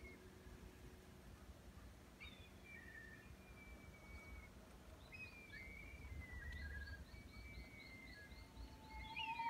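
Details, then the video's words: Black kites flying high over a garden in Japan give thin, high, downward-slurring whistles, then a quick run of repeated piping notes, over a steady low background rumble. "You hear songs of black kites (Milvus migrans) high in the sky"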